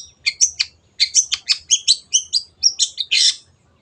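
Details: Cendet, the long-tailed shrike, in energetic song meant to coach caged birds: a rapid string of harsh, chattering high notes in two runs, ending in a rougher buzzy burst.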